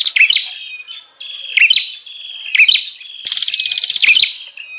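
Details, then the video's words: Bar-winged prinia lure call, meant to draw in wild birds: scattered sharp chirps and thin whistles, then a loud rapid buzzy trill near the end. "Suara pikat burung prenjak Ribut"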